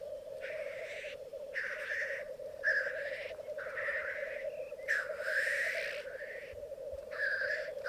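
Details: Black grouse, twelve males with two females, lekking on Mykland bog one morning in May 2022: an unbroken bubbling rookoo chorus with about six loud wheezing hisses spaced roughly a second apart.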